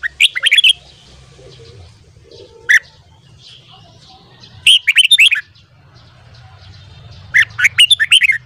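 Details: Red-whiskered bulbul singing in the morning: short bursts of four to six rich, warbled notes, rising and falling, repeated several times with pauses of a few seconds between phrases; faint low background hum.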